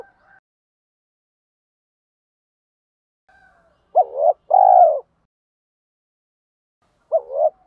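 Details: Spotted dove coo meant to stimulate decoy birds during training: faint murmurs, then one clear two-part phrase, a short hooked note and a long low coo, with the next phrase starting after about three seconds.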